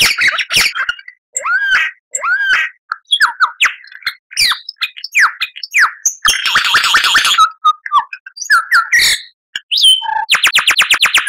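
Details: Lyrebird song as master recording for caged birds: a varied medley of whistles, chirps and downslurs, a harsh rattling stretch midway and a rapid buzzy trill at the end.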